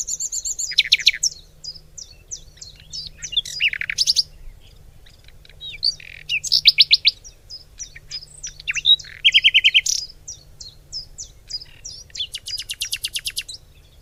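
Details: Lively birdsong fills the recording: sharp high chirps, fast descending trills and rattling bursts repeat in runs, with several birds apparently calling over one another.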